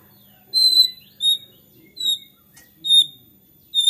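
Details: White-rumped shama, agitated singing said to provoke other shamas: a series of thin, high, clear whistled notes, each about a quarter-second long, repeated roughly every 0.7 seconds.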